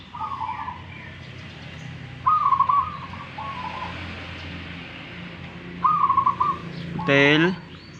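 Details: Local wild zebra doves in Tuban, East Java, dueling in song: several stuttering mid-pitched coo phrases spaced a few seconds apart, then a loud, harsh, harmonic-rich burst near the end over background hum.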